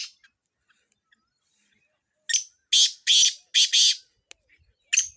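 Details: Kala tetar, the black francolin of Sindh, calling for chakree training: silence, then a clipped phrase of five harsh, grating notes, the middle ones longest, plus a final sharp note.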